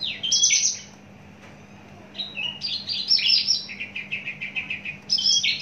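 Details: Javan bush lark, a long-kept caged bird in mature condition with a very large body, singing bright high phrases of sweeping whistles and short buzzy notes, then a rapid rhythmic run of repeated chirps, with a pause midway.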